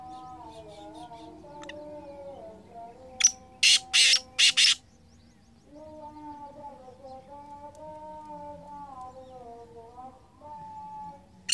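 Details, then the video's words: Black francolin (kala teetar), 2023: a brief cluster of four harsh, scratchy bursts around the middle, set among longer stretches of wavering tonal humming sounds. "Kala Teetar I Balck Francolin I Bular Kala Teetar"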